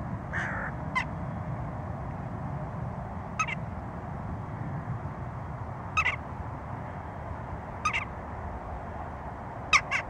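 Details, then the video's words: A western jackdaw gives short, sharp 'tchak' calls, about one every two seconds, over a steady low rumble. "Choucas des tours - Jackdaw"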